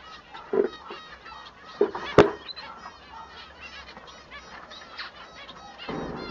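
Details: Male Bengalese finch singing: soft nasal harmonic notes in a quick stream, broken by two low thumps and a sharp click, then a rough noisy burst at the end.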